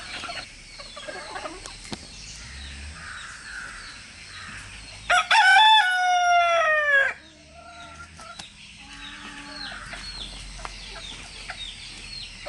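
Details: Rooster, one of three crowing in turn to communicate with each other and their hens: one loud, ringing crow of about two seconds, steady then dropping at the end, set against soft chirping of small birds.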